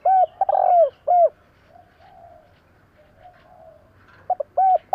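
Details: Spotted dove call: a burst of three mellow, low coos, the middle one drawn out, then a pause with faint murmuring. Two more quick coos start the phrase again near the end.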